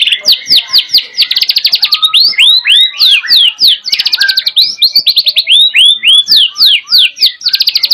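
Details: White-rumped shama, a caged songbird in Indonesia, in full energetic song with canary imitations, pouring out quick slurred whistles, dense trilled runs and repeated downward notes in a continuous fast stream.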